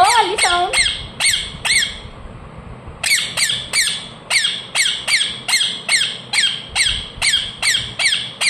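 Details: Pet ring-necked parakeet, a talking parrot, indoors giving loud harsh chirps: rapid sharply descending squawks repeated about twice a second after a brief wavering opening call, steady and insistent throughout.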